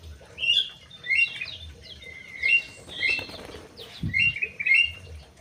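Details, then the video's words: Crewet kept in an aviary, singing bright, high chirps and short whistled phrases in bursts about every half second to second, with a brief low thump near the end. "BURUNG CREWET"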